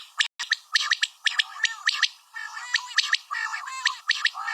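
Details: Sharp, ticking double notes from a female common quail, repeated quickly and fairly evenly for several seconds, with faint chirps underneath.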